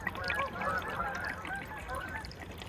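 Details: Canada geese on their annual November migration over a calm lake in Aroostook County, Maine, recorded November 10, 2021; many overlapping nasal honks blend into a continuous clamour with lakeside ambience.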